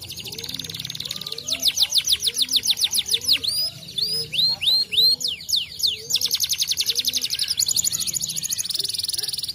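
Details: Yellow canary singing to stimulate other birds: rapid trills of high descending sweeps, buzzy rattling phrases and fast repeated notes, with brief pauses between phrases and faint low sounds beneath.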